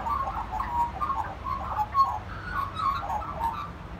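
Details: Magpie singing: a steady stream of mellow, warbled mid-pitched notes in short rising and falling phrases, some ending in brief clear whistles, over a faint low hum.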